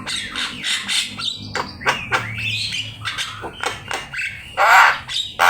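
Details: Javan myna singing energetically, recorded as a master track for teaching other birds to sing: a rapid jumble of harsh squawks, raspy bursts and short whistled notes, with a loud buzzy squawk near the end.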